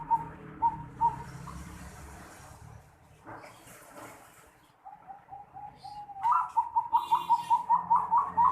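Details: Zebra dove (perkutut) giving an unusual 'noklak' style call, 11 December 2020. A few soft coos open, then a quiet stretch with faint rustling. It ends in a fast, rhythmic series of bright, clipped cooing notes, about a dozen in quick succession.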